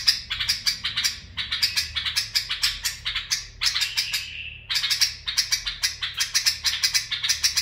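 A bulbul sings bright, chattering bursts of quick repeated notes, several per second, broken by one long slurred falling whistle.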